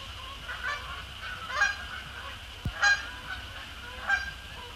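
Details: After sunset, Canada Geese, both resident and migratory, fly in to land on Sapsucker Woods Pond, giving loud separate honks about once a second, with a faint background chorus and one sharp knock.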